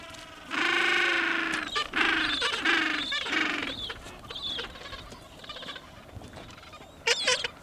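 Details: Gentoo penguins at Orne Harbor calling loudly: a harsh, braying call built of stacked harmonics, given in pulsed bursts over several seconds that fade toward the end, with a brief sharp call near the close.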